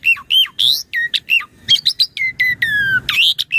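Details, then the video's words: Asian pied starling singing energetically, used as a master song for training and prompting other starlings: a rapid run of loud whistled notes, some sharply dropping, some rising, with buzzy harsh squawks and a long, falling, drawn-out whistle near the end. "Jalak Suren Gacor Auto Bongkar Isian Buat Masteran Pagi/Sore/Malam & Pancingan Burung Jalak"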